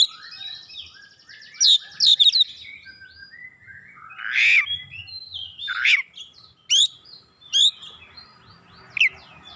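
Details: Oriental magpie-robin lure song of mixed phrases: soft thin whistles, a cluster of sharp high notes, a rough harsh burst, then spaced single sharp chirps every second or so.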